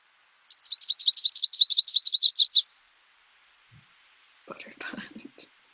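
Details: Yellow-rumped Warbler song used in a warbler ID quiz: a fast, even series of high, wavering slurred notes running about two seconds, followed after a pause by low murmured human speech.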